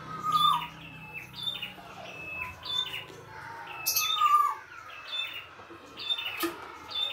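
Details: Red-headed prinia singing in the wild. High slurred chirps are mixed with louder, lower whistled trills that rise and fall, with an occasional sharp click.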